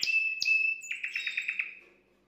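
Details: Brief canary song performed to excite a female: a sharp high note and a sustained pure whistle, followed by a quick trill of six or seven pulsing notes fading out.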